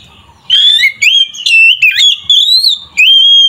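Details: Oriental magpie-robin (kacer) singing loudly, a recording used to provoke other magpie-robins into emotion; clear whistled phrases sliding between high notes, delivered in bursts separated by brief pauses.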